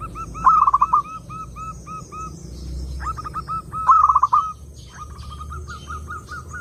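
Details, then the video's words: Lure song of a zebra dove: a loud rolling stuttered coo, a run of soft even coos, a second rolled burst at about four seconds, and then brisk repeated notes alongside faint high chirping. "SUARA BURUNG PERKUTUT _JERNIH_💯AMPUH_SEKALI PUTAR SEMUA PERKUTUT LANGSUNG NYAMBER"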